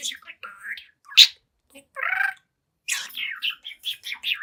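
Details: Young talkative budgie, seven months old, chatting in front of a mirror: buzzy speech-like babble, a loud sharp chirp, a pause, a grating syllable, then a fast run of warbled chirps.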